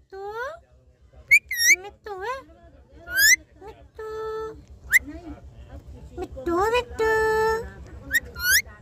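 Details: Talking parrot giving a string of swooping, harmonic, voice-like syllables and squawks, some held flat and some sweeping upward, over a steady low mechanical hum, with a person speaking nearby.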